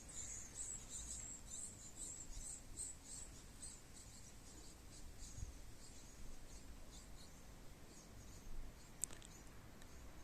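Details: A great tit feeding its young: thin, very high-pitched squeaks repeated rapidly in a busy chorus for about four seconds, then fading, over a low steady rumble.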